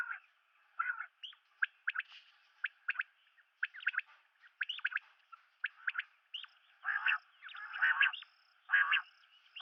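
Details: Common quail: quick bursts of sharp clipped notes, often in threes, run into a series of broader rasping notes, about one per second, over near-silence.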